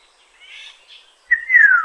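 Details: Black-naped oriole recorded in Tainan City on 21 June 2017: soft, faint warbling at first, then a bright, loud fluty whistle that holds briefly and glides steadily downward.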